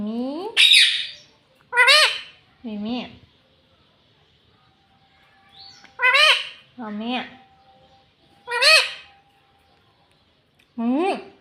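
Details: Household talking parrot that says "mummy" and "papa": isolated short spoken-sounding syllables, some with rising pitch, others wavering, repeated at irregular intervals over quiet gaps.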